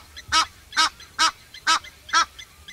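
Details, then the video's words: Egyptian goose calling: five harsh, hoarse honks repeated evenly about every half second, each a short nasal burst, over a faint low background hum. "Egyptian Goose Call"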